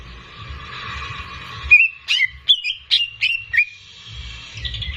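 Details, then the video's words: Greater green leafbird singing in captivity, for prompting young birds to sing. A steady buzzy tone fades, then a few loud whistled slurs and chips follow before the tone returns. "CUCAK IJO GACOR || PAS BUAT PANCINGAN BURUNG BAHAN"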